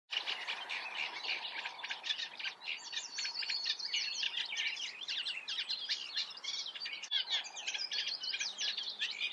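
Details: Eurasian reed warbler singing a continuous, dense chatter of harsh, grating notes mixed with short higher whistles, with no pauses, over a soft outdoor hiss.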